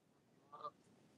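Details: A Canada goose passing by gives one brief, nasal honk with a slight rise, over a low background rumble, on a cold, windy early-spring day (3 April) at Parc des Rapides, Montréal; geese were seen chasing away another couple.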